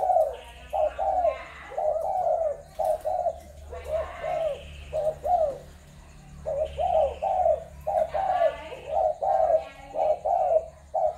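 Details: Spotted doves sourced from Malaysia, Thailand and Cambodia, 21 November 2022. Long series of husky two- and three-note coos repeated roughly once a second, pausing midway, with a few sharp clicks and faint higher chirps mixed in.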